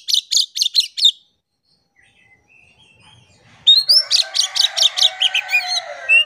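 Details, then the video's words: Oriental magpie-robin lure song to make silent birds sing: rapid series of sharp repeated notes, a quiet gap with soft whistles, then another fast run of chirps over faint hum. "PANCINGAN KACER GACOR. KACER DIAM MALAS BUNYI COBA PANCNG DENGAN KACER INI"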